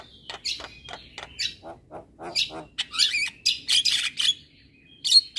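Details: Javan myna song meant to teach other mynas: clicking and rasping notes spaced out, building to dense squeaky, grating bursts and a short whistle.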